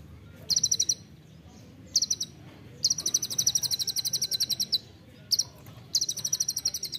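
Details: Olive-backed sunbird song from a training recording in the tight 'nembak rapat' style: bursts of rapid high chirps, short ones and a long unbroken run lasting about two seconds, separated by pauses.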